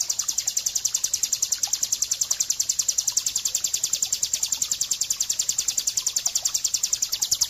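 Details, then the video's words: Bar-winged Prinia song used as a training track for caged birds: a bright, very high, buzzy chatter, rapidly repeated about three times a second in a steady, unbroken run. "suara masteran ciblek gunung"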